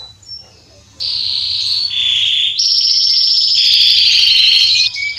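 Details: Male Belgian canary singing, played to warm up other canaries: quiet first second, then loud high trills in shifting blocks, fast rattling phrases switching pitch between sections, continuous and bright.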